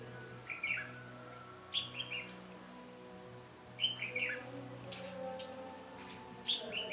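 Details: Red-whiskered bulbul in a trapping setting, 13 January 2017, singing to confront rivals: quick bright whistled phrases repeated every couple of seconds, clear against a low continuous hum.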